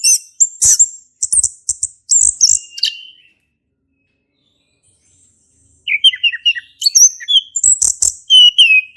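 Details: Male orange-headed thrush in ngeplong song style, used as a lure to get a silent thrush singing: bursts of high, sweet whistled and chirped phrases for three seconds, a quiet pause, then renewed rapid varied phrases with sharp upslurred notes.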